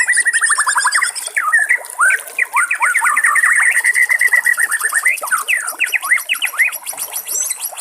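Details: White-rumped shama in the wild, water trickling beneath, pouring out a fast, dense song of rapid whistled notes, slurs and high thin trills without pause.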